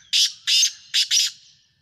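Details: Black francolin (Kala Tetar) from Sindh, Pakistan giving four loud, rasping, buzzy notes in quick succession within about one and a half seconds, the last two closely paired, against a quiet background.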